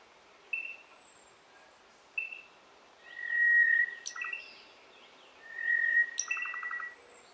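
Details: Cuban Solitaire singing near Viñales, Cuba, in a 2015 recording: brief clear notes, then long, ringing, flute-like tones with a rapid metallic trill and very high squeaky accents, in a quiet background.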